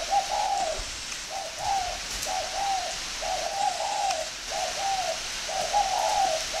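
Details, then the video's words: Northern Vietnamese spotted dove from a bird-breeding farm, cooing in a relaxed rhythm: paired and tripled low, gentle hoots with rising-falling contour, short gaps between groups, faint hiss underneath. "chim cu gáy hay miền bắc"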